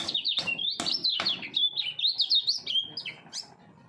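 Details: Common iora, caged and three years old, prepared for bird-song contests, pouring out near-continuous full-speed double-voice song: fast, slurred whistles bouncing between high and mid pitch, with a few sharp clicks near the start.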